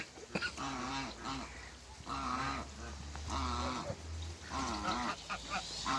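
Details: Pair of African geese on a farm; four long, buzzy honks with a wavering, arched pitch, set against a rumbling low background and some clattering noise.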